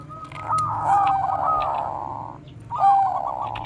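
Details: Bangkok zebra dove, a bekur koar-koar type used as a lure to train other doves: a long low coo with a rolling, bubbling trill, pausing, then a second trilled coo phrase.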